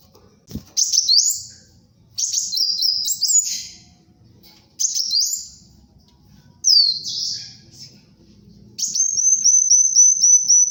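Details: Energetic song of a brown-throated sunbird, used for luring and tutoring birds: five high chirping bursts with stepped slurs, ending in a rapid run of evenly repeated thin notes; a single click early on.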